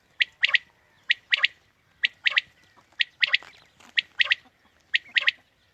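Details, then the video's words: Quail call used as a morning hunting lure: sharp three-note phrases, one short note then a quick double, bright and clipped, repeated about once a second throughout, with faint background hiss. "Quail Calling 2020 | Batair Ki Awaz suba ki shikar Ki liye"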